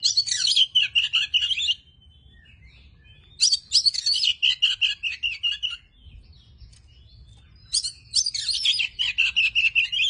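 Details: Tame Oriental magpie-robin singing in three bursts of rapid, varied, high chirps and twitters, each burst under two seconds long, with short quiet gaps between them and a faint low rumble underneath.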